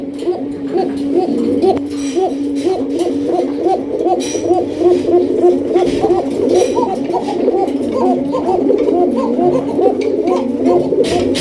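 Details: Koka pigeons, including a breeding pair (male left, female right) at a Bangladeshi loft, coo together in low, rolling, rhythmic phrases that repeat without pause. The male is fast-calling and excited at being paired.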